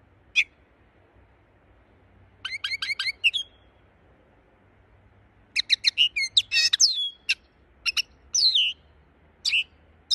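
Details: Linnet singing in scattered bursts: a single sharp note, a quick stutter of twittered chips, then livelier phrases mixing fast trills, a buzzy rattle and slurred whistles, separated by silent gaps.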